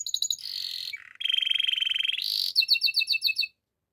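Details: Canary singing a clean, fast-changing song: a high pulsed trill, a lower buzzy roll held for a second, a brief deeper dip, then a sequence of sharp, evenly repeated chirped notes before the song stops.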